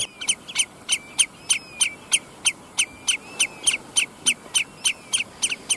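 A common redshank gives a fast string of loud, ringing piping notes, about three each second.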